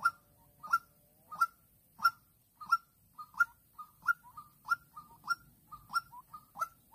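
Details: In Vĩnh Long on 16/3/2022, a decoy white-breasted waterhen calls to lure a rival with rapid repeated short hooked notes that quicken and pair up toward the end.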